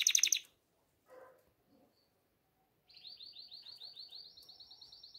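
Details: A canary in breeding condition calls for the female with a short loud chirpy burst and a few quiet notes, then after a pause a steady rapid rolling trill of repeated high pulses that rises slightly.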